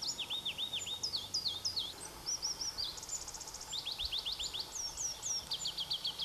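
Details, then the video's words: Pallas's leaf warbler (Phylloscopus proregulus), one of two birds singing near Erdenebulgan, Khovsgol Aimag, Mongolia, in July 2009: rapid varied phrases of high whistled notes, downslurred series, a dry rattle-like trill and repeated upswept notes, with a steady background hiss. "Pallas's Leaf Warbler"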